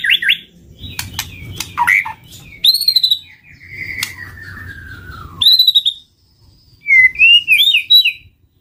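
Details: Shama lure sound: varied whistled phrases with clicks, a long descending whistle, then a pause and a final twisting burst of high whistles over faint rumbling noise.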